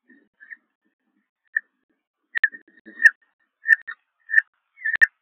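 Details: Newly hatched second Peregrine falcon chick at a nest in Liempde, Netherlands, 19 April 2021, giving thin, high peeps, short and repeated about every half second, with a few sharp clicks and knocks in the background.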